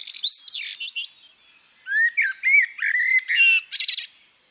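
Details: Female common blackbird uttering a sequence of mellow, slurred whistles and squeaky high twitters, loud and varied, the phrases running together over several seconds.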